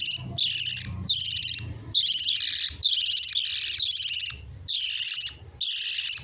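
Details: Lovebirds giving dense, harsh chattering bursts, each lasting about half a second to a second, repeated in quick succession with brief gaps, a busy flock-like chatter with faint low hum beneath.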